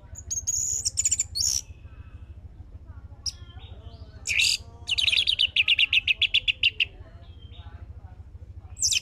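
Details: Orange-headed thrush song played as a lure to make another bird sing: scattered high chips and whistles, then a long run of rapidly repeated buzzy, rattling notes about twice a second, ending in a sharp high burst.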